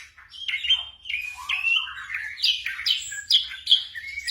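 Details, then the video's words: Black drongo, recorded for training caged birds at night, giving a sequence of clear whistled notes that slide up and down, some sharp and ringing, in a quick varied phrase. "TERAPI SRIGUNTING MALAM HARI"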